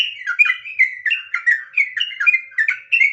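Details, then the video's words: Sooty-headed bulbul singing the long rolling nggaruda ngropel song: a busy run of overlapping liquid whistles, roughly three notes a second, continuous throughout. "suara asli burung trucukan, trucuk nggaruda ngropel"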